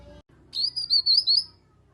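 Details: Grey-cheeked bulbul 'nyaut' lure call for getting other kept birds to join in singing: a clear, high whistled phrase of four rising and falling wavering notes over about one second, after a brief quiet pause.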